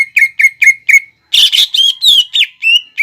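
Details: Brief greater green leafbird 'nembak ngekek' song phrase used to provoke other birds: four clear repeated whistles, then a harsh buzzy burst followed by rising and falling slurred whistles.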